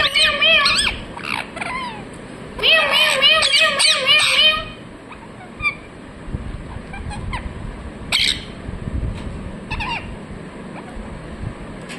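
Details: Parrot chirping in two loud harmonic bursts of quick, rasping notes, then a quieter stretch with a few isolated sharp calls.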